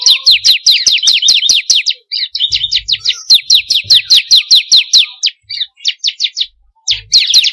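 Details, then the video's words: Bar-winged prinia (ciblek kristal) lure recording: repeated fast runs of shrill downward-sliding chirps, nearly unbroken, mixed with short twittering phrases and a few isolated notes. "pancingan burung ciblek kristal paling ampuh || mp3 burung ciblek"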